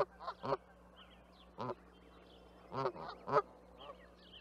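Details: Canada goose giving a few loud, separate honks, each a short nasal note that bends upward then down, spaced irregularly over four seconds with quieter calls between and a steady low hum beneath.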